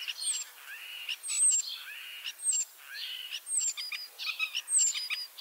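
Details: Ringed common starling in Liepāja, Latvia, back for a third spring, arriving 25 March 2023, with a leg injury: a varied song of high whistles, buzzy chatter and rattles that rise and fall in short bursts.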